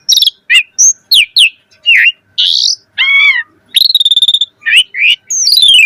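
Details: Full, chatty song of an Asian pied starling with rich fill phrases, a lure for getting starlings to sing: quick falling whistles, a harsh buzzy note, a rapid stuttering trill and downward-sliding whistled notes.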